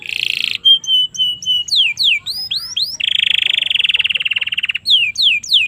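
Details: Domestic canary, song offered as a master recording to teach and excite young canaries: a buzzy burst, clear repeated whistles, swooping upward notes, then a long fast rattling trill and more swoops.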